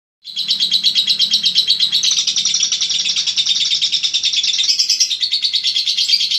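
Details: Lovebird of the Eagle Head line, a contest-winning singing bird, in a long ngekek: dense rapid chattering trills held continuously at high pitch, pulsing about three times a second, with faint low hum beneath.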